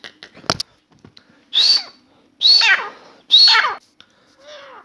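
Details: Indoor Grey francolin (Dakhni teetar) song: after faint clicks and a sharp tap, three loud, harsh, descending-then-rising grating phrases spaced about a second apart, followed by a softer trailing note.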